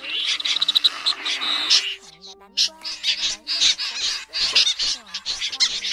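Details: Common snipe calling the flock, played to draw young and adult migrants into night nets, August 2024; dense stream of scratchy, raspy calls overlapping in quick bursts, a brief lull midway, faint low droning tones beneath.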